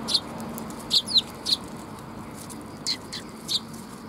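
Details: Sparrows arriving to be fed at a Tenmangu shrine, 3 October 2021; about six brief, high, sharp chirps scattered across four seconds, some in quick pairs, over faint low background noise.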